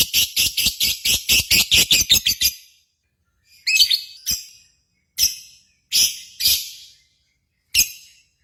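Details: Lovebird contest-simulation sound used to stimulate singing: a fast run of about fifteen clipped, high chirps over two and a half seconds, followed by scattered single sharp chirps with echoing tails.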